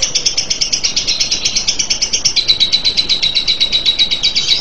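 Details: Lovebird delivering a long ngekek, a steady shrill trill of evenly spaced rapid pulses, roughly four per second, shifting slightly lower halfway through.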